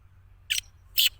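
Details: Two short, harsh bursts from a three-month-old black francolin chick of good breed, each about a tenth of a second, spaced roughly half a second apart, high and broadband over a quiet background.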